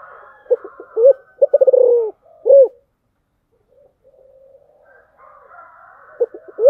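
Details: Spotted dove, 'giọng thổ' song style, delivers one complete phrase: soft lead-in notes, a mellow coo, a rapid burry trill and a closing hollow coo, then a quiet gap before the next phrase starts. Faint chatter from other birds underneath.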